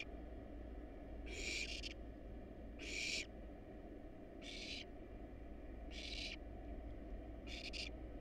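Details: Wild barn owl nestlings in a monitored nest box, hungry while being fed a rat and rabbit, give five harsh hissing screeches, roughly every one and a half seconds, over a steady low camera hum.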